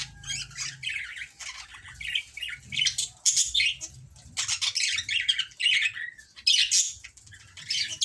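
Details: Budgerigar; chatter; courtship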